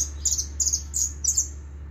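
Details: Argentine jilguero, the hooded siskin, giving four quick clusters of high, thin twittering notes spaced roughly every third of a second, set against a constant low droning hum.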